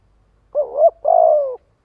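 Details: Single phrase of a spotted dove calling to gather others: a wavering two-humped coo, a brief pause, then a longer steady coo that slowly falls in pitch, in a quiet setting.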